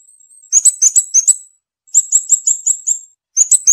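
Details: Scarlet-backed flowerpecker delivering rapid bursts of high, thin, ticking notes in quick runs of five to seven, separated by short pauses, with a faint thin whistle at the start; no other sounds.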